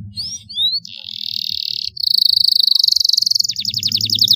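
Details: Canary song played to encourage silent canaries to sing: short rising whistles, a long buzzing trill, then fast pulsed rolls, over a faint low background hum.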